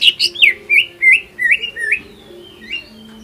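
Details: Greater green leafbird singing to provoke other birds into song. Bright whistled notes swoop up and down in a quick series, then thin out into softer, drawn-out whistles over a faint steady hum.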